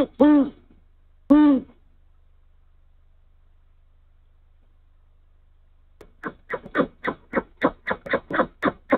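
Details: Male great horned owl at the nest at night in Canada, carrying a mouse and calling to his mate: two deep resonant hoots, a long silence, then a fast run of harsh chirping notes.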